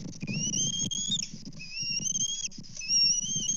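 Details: Bald eagles at a Kansas nest on a live cam, 24 May 2024, during fish deliveries at breakfast: three thin, high whistled calls, each rising slightly and held about a second, over low rumbling background noise.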